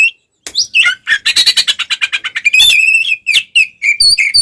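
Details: Oriental magpie-robin (kacer) giving fighting song meant to provoke rival magpie-robins: rapid rattling series of sharp pulses, then mixed whistled and harsh notes with rising and falling slurs.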